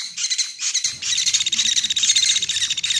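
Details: Sunda pygmy woodpecker lure sound for bird trapping: a few thin high notes, then a steady fast stream of squeaky, buzzy chatter.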